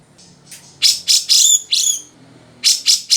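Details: Cucak jenggot (grey-cheeked bulbul) in a long, lively song meant as a tutoring recording. Loud, harsh, chattering high notes come in quick succession after a faint opening, then a brief gap and three more sharp notes.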